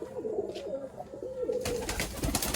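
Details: Domestic pigeons, many of them sick, gathering eagerly for grit as they are called into their house; low rolling coos, then a burst of loud rustling and scuffling with a voice calling them in.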